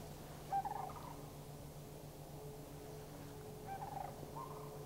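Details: Two short bursts of rolling, trilled calls from Sandhill Cranes responding to passing cranes in Far North Bicentennial Park, Anchorage, Alaska, May 1, 2011, separated by a quiet stretch with a low steady hum.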